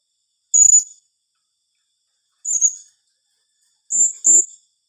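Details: Sharp, thin high-pitched squeaks of a blue-crowned hanging parrot in 'tembakan rapat' rapid calling. Single notes come about two seconds apart, ending in a fast double note, with silence between.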